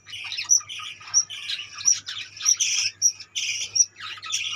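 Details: Colony of budgerigars chirping and squawking continuously, warbling harsh notes mixed with bright high whistles, several birds overlapping, faint low hum behind.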